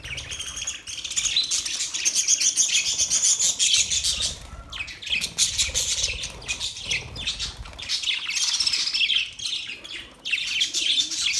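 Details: Pet budgerigars singing in long, continuous, rapid scratchy warbles and chatter, high and buzzy, broken by only short pauses.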